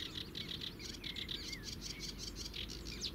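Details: Sedge warbler in song at the Zouweboezem in the Netherlands, recorded at a distance on a compact camera: bright buzzy notes repeated several times a second, broken by a few slurred whistles, over a low rumbling background.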